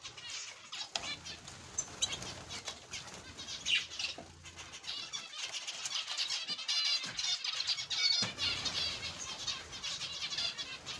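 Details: Zebra finches in an aviary chatter almost without pause in nasal, buzzy, high-pitched notes that overlap, with soft wing flutters mixed in.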